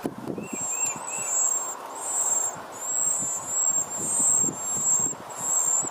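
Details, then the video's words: Hungry nestlings begging while their mother feeds them: piercing high whines in long wavering bursts, a few short lower chirps at the start, with soft clicking and rustling underneath. "Birds mother feeding their hungry babies"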